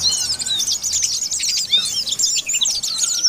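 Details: Oriental white-eye calling out rivals in ngalas style, a short burst of shrill, rapid chattering chirps and thin whistled slurs packed tightly together.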